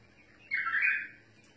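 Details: A bulbul, its song given in the style called tawr mutawa'i, delivers one short, rich warbled phrase lasting under a second, set against a faint low hum.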